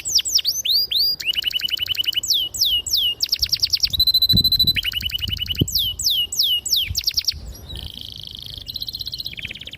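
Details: Canary song used as a lure to train young birds and prompt silent canaries to sing: long clear sharp rolling phrases of fast repeated downslurred whistles, buzzy trills and steady high notes, switching type every second or so.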